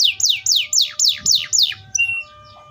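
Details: Atlantic canary gives a short tour of about seven loud, evenly spaced downslurred whistles, followed by a few soft notes and near silence.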